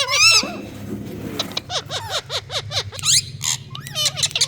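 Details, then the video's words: A crowd of parrots in India calls together, producing harsh screeches and a rapid run of repeated rising-and-falling squawks, overlapping and dense throughout, with a low rumbling hum underneath. "So Many Parrots🌶Making Amazing🌸 Sounds!"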